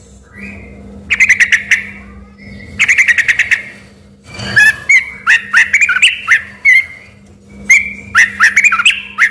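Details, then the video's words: Vigorously singing sooty-headed bulbul, its song mistaken by residents for a white-rumped shama: short bright bursts, then tumbling whistled phrases with rising and falling slurs, in quick succession over a steady hum. "suara TRUCUK GACOR"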